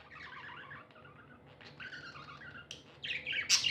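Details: Tame pet budgerigars, called happy, give soft warbling chirps that build to a few loud sharp squeaks near the end, over a low background hum.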